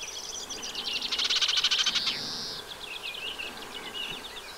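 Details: Nesting Eurasian reed warbler in a wet Breton meadow along the Vilaine near the Arzal dam, 15 June 2023, singing a rapid churring, repeated chatter that swells, then gives way to quieter scratchy notes.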